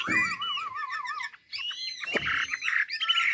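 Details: Hwamei song recorded in Ha Giang, Vietnam, as natural singing for training birds: a fast wavering trill repeated many times, a short pause, then loud varied whistled phrases.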